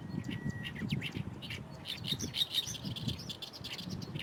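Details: In a reed bed along the runway at Fukuoka Airport, Japan, an energetic Oriental reed warbler delivers a continuous stream of scratchy, croaking phrases with varied rasping notes, against a low background hum.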